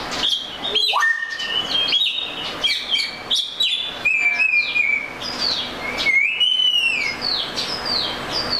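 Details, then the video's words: Melodic song of an Oriental magpie-robin: a string of whistled notes and warbles, some sliding down, others arching up and down, with a few rising sweeps, all given in an unhurried, varied sequence. "The Melodic Tunes of the Oriental Magpie Robin Bird"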